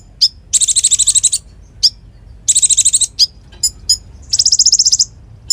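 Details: Konin singing energetically, kept as a training model for other cage birds: sharp high chirps separate three fast, shimmering trill bursts of about a second each, over a faint low hum.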